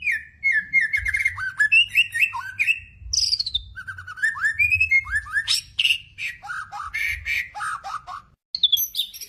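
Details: White-rumped shama song used to provoke other shamas into singing: a loud, varied stream of clear whistled phrases, rising and falling slurs and rapid chattering trills, phrases changing every second or so, with a brief pause near the end.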